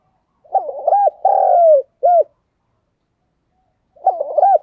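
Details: Caged decoy spotted dove cooing to lure wild doves: a rhythmic, mellow phrase of quick stuttered coos, a long drawn coo and a short final note, then after about two seconds of silence another phrase begins.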